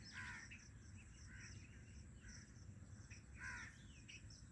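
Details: Black francolin (Francolinus francolinus), call.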